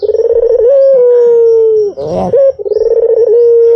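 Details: Lure call of a white Barbary dove, two low, drawn-out humming coos, each opening with a rapid rolling flutter and levelling into a smooth, slightly falling tone.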